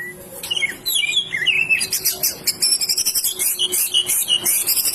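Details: White-rumped shama singing a rich mixture of twisting whistles and very high, rapid chattering phrases, dense and varied throughout.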